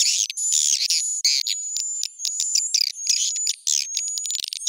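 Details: Swiftlet lure sound used by swiftlet farmers, with pitch and tempo raised: nearly continuous high twittering and chirping with a faint steady whistle slowly rising through the clip and few pauses.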